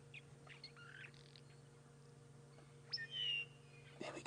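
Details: On an early morning in late August at a South African safari reserve, mosque swallows basking in sunlight chirp, and one gives a clear, high, slightly falling whistled note after a few faint chirps, over a steady low engine hum.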